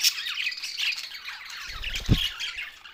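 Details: Budgerigars, Australian parrots, with scratchy squawks and quick chirps over a brief busy stretch, plus a single dull knock near the two-second mark.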